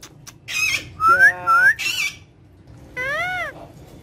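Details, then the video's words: Speaking pet parrot mixes a hoarse screechy note, two clear rising whistles and a rough burst, then a rich harmonic voice-like call, with low room hum behind. "My So Cute And Friendly Speaking Parrot"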